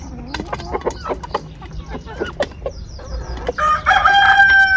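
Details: Chickens being kept as poultry. Soft, scattered clucks and a few short rising notes come first. A loud, sustained, harmonic squawk starts near the end and carries through to the close.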